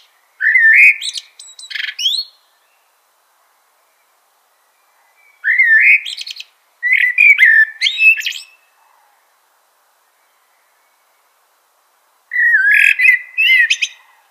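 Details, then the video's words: Three well-spaced common blackbird phrases, each opening with low, liquid fluting notes and breaking into a burst of high, squeaky twittering, with several seconds of silence between them. "Common Blackbird Call/Song/Sound - Chirping/Singing Birds"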